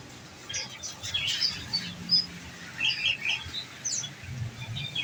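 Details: Caged olive-backed sunbird, kept on nectar, giving its 'nembak' shooting-style song: thin, high chirps and short twittering bursts scattered irregularly over a low background hum.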